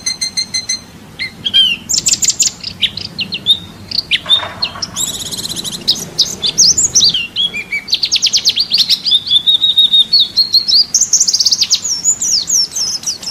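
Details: National-champion white-eye (pleci) singing masteran tutoring material for songbirds. High twittering phrases are broken by harsh, buzzy, rasping bursts midway, then give way to a fast, steady, chattering trill and a varied warble.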